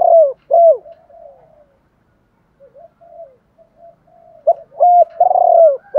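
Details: Spotted dove used as a decoy to stimulate and train other doves. It gives mellow hooting coos at the start, then faint soft murmurs, and ends on a full phrase with a rolling, vibrating long coo.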